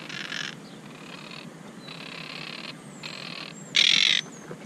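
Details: Monk parakeets building a nest, upset after someone climbed their tree and placed a camera, fussing at it. Harsh, buzzy squawks in bursts of about half a second, repeated irregularly, the last one loudest.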